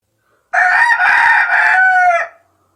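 A chicken gives one drawn-out, nasal, crowing call lasting nearly two seconds, with a brief hitch early on before it trails off; nothing else is heard.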